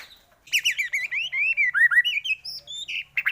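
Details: White-rumped shama song played as a lure to stir other shamas into singing, with a rich, flowing phrase of rising and falling whistled notes, slurred and mellow, after a short quiet start.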